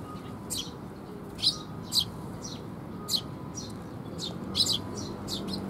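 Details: Eurasian tree sparrow fledglings being fed by their parents on 6 May 2021. Short, bright chirps are scattered unevenly, some louder and some faint, over a steady low hum.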